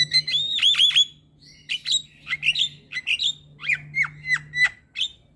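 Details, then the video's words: Gacor Javan myna in masteran song for tutoring young mynas: a few bright ringing whistles, then a string of separate downslurred whistles and rasping squawks, over a faint low hum. "Jalak Kebo Gacor Masteran Bikin Burung Jalak Muda Jadi Pintar Berkicau"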